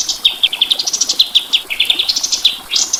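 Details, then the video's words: Kapas tembak white-eye singing in a tutor recording: a busy, nonstop chatter of high, quick chirps and twitters, irregular in rhythm, ending with a brighter rising phrase. "Masteran Burung Kapas Tembak"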